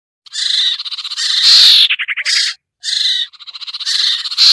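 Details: Pikat lure sound of the common iora (sirtu), for birds that are slow to descend: scratchy buzzing rasps, a loud harsh peak and a quick stuttering rattle of separate notes.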